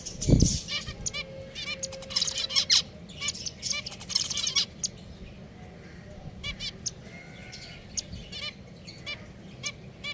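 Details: Several pet finches calling indoors: short bright chirps and rapid stacked ticks, some in quick bursts, a few thin drawn notes between them, over a low steady hum, with one dull thump near the start.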